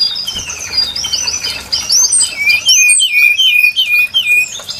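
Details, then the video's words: Song of the brown-chested jungle flycatcher, used to lure birds for trapping: a continuous stream of high warbled and whistled phrases, growing louder and sharper midway with clipped, falling notes. "Suara pikat burung sikatan SRDC Sikatan rimba dada coklat"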